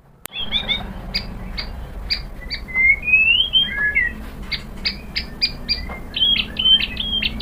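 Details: White-rumped shama song used as a lure to draw other shamas into singing: clear whistled slurs near the top of the range mixed with short sharp clicks and chips, some notes gliding upward, over a low steady hum.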